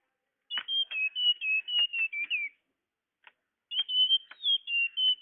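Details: Bird-luring tledekan sound: two phrases of clear high whistles, each a chain of short slurred notes wavering and falling slightly in pitch, with a silent gap between.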